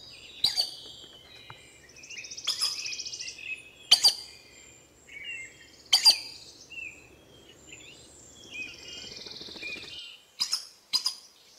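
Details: Collared aracari calling in Costa Rican forest: abrupt, piercing squeaky notes, some doubled, repeated irregularly every one to two seconds, with softer buzzy trills and whistles from other birds or insects between them.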